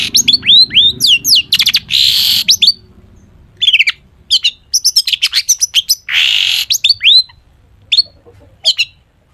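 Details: Long-tailed shrike in lively full song packed with mimicked phrases, used to lure other shrikes into singing: rapid high chirps and slurred whistles, two harsh rasping bursts, and quick tweet runs with short pauses between them.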